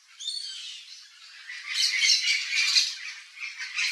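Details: Yellow-faced Parrot (Alipiopsitta xanthops), wild, visiting a backyard in Brazil's Cerrado, gives harsh, grating squawks: a short nasal call first, then a longer run of rough, raspy screeches.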